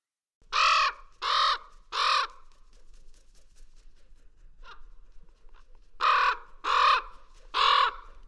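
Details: Crow calling in two bursts of three hoarse caws, the bursts separated by a few seconds of faint rustling and low background noise.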